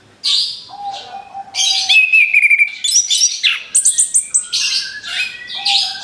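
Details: An orange-headed thrush sings as bait for other birds, opening with a long plain whistle, then a rattling trill, clear repeated high notes and bright twittering phrases that run one into the next.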